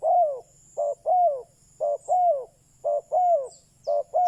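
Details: Decoy spotted dove cooing to draw in wild doves, giving rapid low phrases of a short clipped note followed by a longer falling coo, repeated steadily, with a faint high whine in the background.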